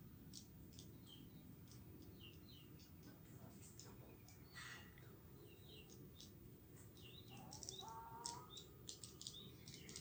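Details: Hundreds of swiftlets foraging in the morning, feeding on swarming winged termites; brief, high, scattered twittering chirps throughout, irregular and overlapping, over a steady low rumble of background noise.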